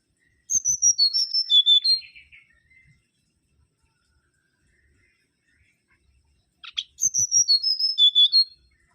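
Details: Mangrove whistler song in two phrases several seconds apart, each a rapid string of bright whistled notes sliding down the scale and ending on lower, buzzier tones; background otherwise quiet.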